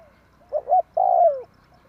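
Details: Lure call of a spotted dove for bird trapping, tarik akar type: a quick double coo followed by one long, smooth coo that slides downward.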